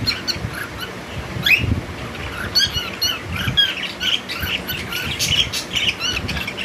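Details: Cockatiel calls: short rising squeaky whistles and harsh squawks in an uneven series, with steady chirping from other birds behind.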